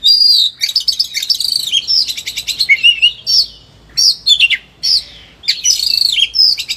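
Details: Highly worked-up caged Oriental magpie-robin pouring out a rich repertoire for training other birds to sing: rapid chattering trills, sweet whistled slurs and bursts of mimicry-like notes separated by short pauses.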